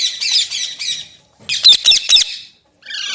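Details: Green parrot: four raspy squawks, then three louder sharp screeches after a short gap, and a softer buzzy call at the end.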